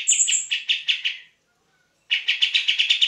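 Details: Grey-cheeked bulbul singing loudly, recorded as a tutor for songbirds such as magpie-robins and green leafbirds: two bursts of fast, harsh, chattering notes about five per second, separated by a brief silence.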